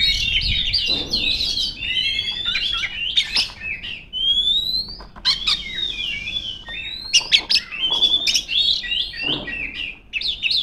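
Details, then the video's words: Female Oriental magpie-robin calling rivals with a dense whistled song of slurred, rising and falling notes broken by harsh chips and brief quiet gaps. "suara burung kacer gacor ngeplong memanggil lawan"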